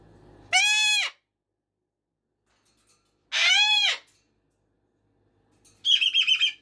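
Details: Cockatoo kept as a pet, calling at 5:15 AM and 5:15 PM: two very loud, coarse screams roughly two seconds apart, followed by a rapid, stuttering buzzy squawk.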